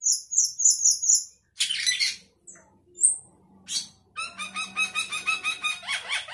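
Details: Sooty-headed bulbul in 'gacor isian' song, rich in fill-in phrases. Fast high twittering trills give way to a rasping burst and scattered notes, then a long run of rapid, evenly repeated chattering notes.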